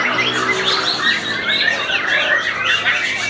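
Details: White-rumped shama (murai batu), a bird shown in the bowing 'sujud' or 'nungging' style, singing a fast, varied stream of bright whistles and chirps with short upslurred notes, packed densely and without pause over a busy, overlapping background of bird sound.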